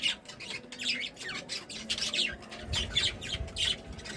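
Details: Happy budgies warble in short, clear, bending chirps, several per second with small squawky notes between, some low knocking sounds near the end.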